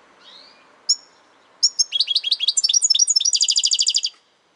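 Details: Goldfinch song: a faint rising whistle, an isolated chirp, then a long accelerating run of bright twittering that ends in an even, rapid buzzy trill of repeated notes.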